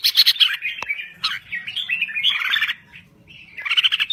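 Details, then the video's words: Red-whiskered bulbul from Thailand, singing actively: rolling whistled phrases that slide up and down, a sharp click, then a burst of quick chirps. "Kicau Burung Merbah Jambul Gacor"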